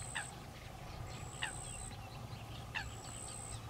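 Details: Ducklings of common pochard feed under their mother's guard. Three short crisp calls come at irregular gaps of about one to one and a half seconds, backed by a steady high whine.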